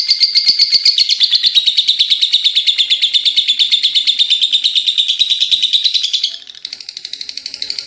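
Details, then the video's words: Lovebird in full voice giving a long ngekek chatter: a fast, unbroken train of buzzy high notes, several each second, running about six seconds before fading into a softer, quieter stutter. "Love Bird gacor ngekeek panjang"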